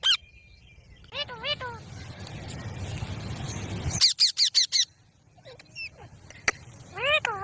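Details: Green talking parrot giving short wavy, harmonic vocal phrases, then a burst of rapid clipped syllables and a final rising-falling phrase, separated by a stretch of loud rushing noise.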